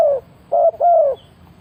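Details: Low hollow cooing from a decoy spotted dove luring wild birds: the tail of one falling note, a pause, then a short coo run into a longer drawn-out falling coo.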